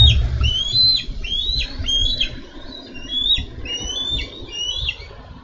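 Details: On a Minnesota nest on 4 July 2013, bald eagles tussle over a carp. Shrill whistles, each bending down at the end, come in an uneven series about once a second, with faint rustles.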